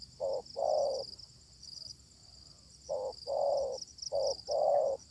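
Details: Luring a spotted dove with a decoy, a wild bird responds. Two groups of hollow coos, each a short note then a longer one, are separated by a quiet gap. Insects buzz high in the background.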